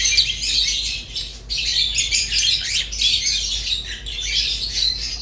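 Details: Pet budgerigars, named as a pair, singing continuously: dense, scratchy warbling chatter with quick chirps and squeaky notes overlapping throughout, no other clear sounds.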